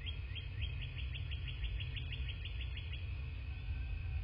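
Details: At a southwest Florida nest, a bald eagle is recorded by a nest cam on a February 2024 morning. A run of rapid, high, sharply rising piping notes lasts about two and a half seconds over a constant low roar.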